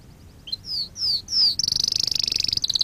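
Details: Canary song for training canaries: a few high descending whistled slurs, then a fast buzzy trill of rapid repeated notes.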